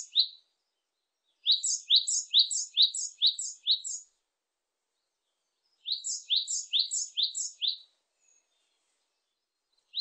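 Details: Japanese tit singing in a 2020 recording: bursts of five to six rapid two-note phrases, each a rising lower note then a higher bright note, separated by a pause of about two seconds. Single stray notes open and close the clip. Background silent.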